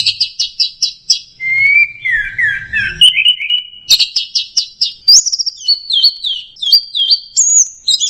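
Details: Teler song of an orange-headed thrush: quick repeated high chips, then a descending warbled whistle, followed by a string of clear, ringing phrases that step upward in pitch, with faint low background noise early on.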